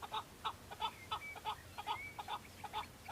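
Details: Chukar partridge males on Bamo mountain, Kurdistan, in breeding season, fighting and displaying to females; loud clucking chuk notes in quick bursts about three a second, with a thin rising whistle from another bird.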